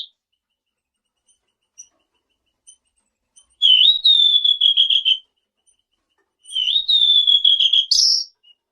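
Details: Selendang biru, a lure meant to make surrounding birds reply: two long high whistled phrases, each starting with a dip and trembling into a quick trill; the second ends in a scratchy burst, with faint ticks between.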